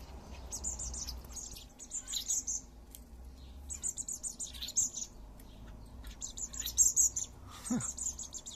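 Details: Blackbird fledglings begging while being fed by their father: insistent, very high, scratchy chirps in quick runs, with brief pauses between bouts and one short low downward sound near the end.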